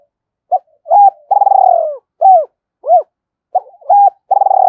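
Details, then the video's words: Cooing of a decoy spotted dove, double-voice 'gọi hai hậu' type: brief lead-in notes, a long quavering coo falling away, two rounded hoots, then the phrase begins again. "Chim Cu Mồi - gáy gọi hai hậu hay còn gọi là giọng đôi rất hay"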